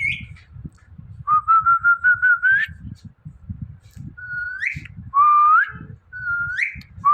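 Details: Indian ringneck parrot, a talking bird that mimics words, giving clear whistled phrases: level tones that rise sharply at the end, repeated roughly every second or two, over soft low background noise.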